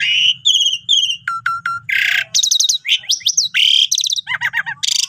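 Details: Asian pied starling in full song, used as a training master for lazy-singing starlings: a continuous medley of clear whistles, grating squawks and fast rattling trills, with a faint low hum underneath.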